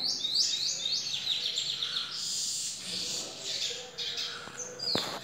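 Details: Lesser goldfinch, a master singer kept at home, delivering a rapid high twittering song of sweeping whistled notes and buzzy trills, with phrases following closely one after another throughout.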